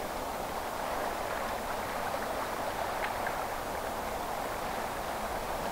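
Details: Steady rushing noise like a stream or rain, broadband and even throughout, with no animal calls standing out.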